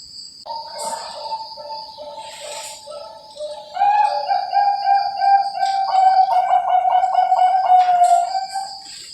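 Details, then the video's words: Zebra dove of the perkutut Bangkok type, kept by bird breeders in Cilacap, Central Java: low sustained coo swelling into a rapid run of evenly spaced pulsed notes, with a thin high hum in the background. "SUARA PERKUTUT BANGKOK"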